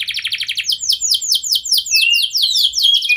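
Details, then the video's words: Canary song used to get other canaries answering: a quick trill followed by evenly repeated loud upward-sweeping whistles, about two to three per half second. "Pancingan Kenari Gacor Lagu Istimewa"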